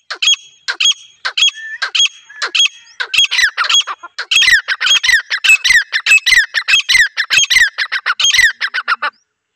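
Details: Female grey francolin calling, used to lure wild birds; loud harsh squawking notes repeated in rapid series, about one to two per second, building in pace, with bright ringing overtones and no other clear sounds.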